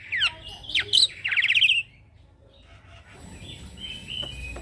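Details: Young male Black-winged myna in a rolling song, recorded as a tutor for other birds: sharp squeaky whistles, then a fast rattling trill lasting about half a second. Quieter, softer calls follow in the background.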